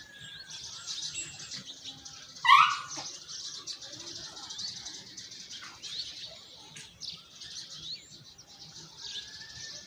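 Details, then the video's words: A baby sparrow makes noise in the nest while another nestling falls: a steady high, hissing chatter, broken by one loud, sharp rising chirp near the start. "One of the baby sparrows is making noise"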